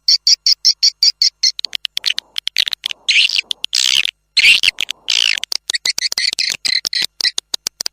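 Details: Swiftlet calls for attracting birds to nest houses: quick regular high chirps at first, then longer harsh, buzzy twittering stretches mixed with rapid clicking chirps, returning to rhythmic chirping at the end.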